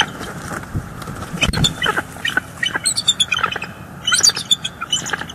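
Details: Wild bald eagles recorded by a live nest camera in northeast Florida on 18 December 2022, as a female chases juveniles from the area. Scattered high, squeaky notes in short bursts appear mid-clip over low rumbling background noise.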